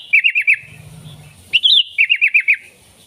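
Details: Sooty-headed bulbul singing as a lure for wild bulbuls: a run of rapid bouncy whistled notes, then a rising wavering note and another quick five-note run, over faint low rumble.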